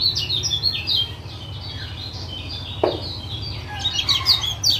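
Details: Lombok lemon-bellied white-eye, male, 'ciak' calls meant to stir a silent caged bird to sing: scattered bursts of high twittering chirps, a pause with a single click, then renewed chatter, over constant low hum.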